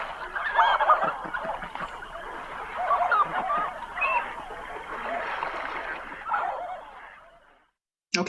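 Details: Canvasback, a rarely heard and not very vocal diving duck, in a quiet recording giving soft, throaty, cooing and clucking notes in a steady, uneven run for about seven seconds, muffled and mid-pitched, then falling silent.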